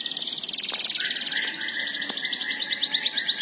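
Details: A domestic Belgian canary sings a fast, high trilled song. Rapid rolling notes shift into a brighter buzzy trill near the end.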